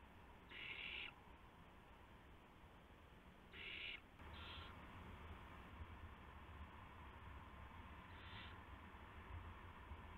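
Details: Owls in the small hours of March 19, 2016, as adults deliver mice and a gopher to owlets. Two strong, harsh hisses three seconds apart, then a softer one and a faint later hiss, with steady low hum.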